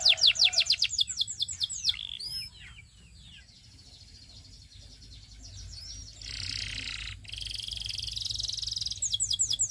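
A Belgian singing canary pours out high, rapid rolls of repeated sweeping notes, pausing briefly before a harsh buzzy passage and more quick trills.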